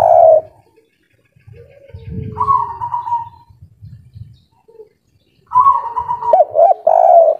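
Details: Local spotted dove in breeding excitement delivering a kuk 3 song: one loud coo, then soft descending coos over a low rumbling background, and a final phrase rising into strong short coo notes.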